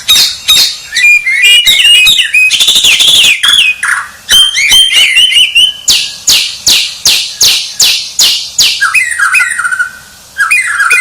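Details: Champion white-rumped shama in full song, mixing rapid warbled and chattering notes with long runs of loud, harsh downward-sweeping notes at a steady quick pace, ending in a few lower whistled slurs.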